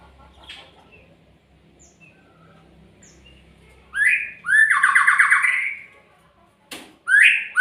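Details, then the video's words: Magpie-robin giving loud harsh, buzzy calls after a quiet start: a rising rasp, then a long grating, rapidly pulsed note of about one and a half seconds, and another rising rasp near the end. "SUARA burung MURAI"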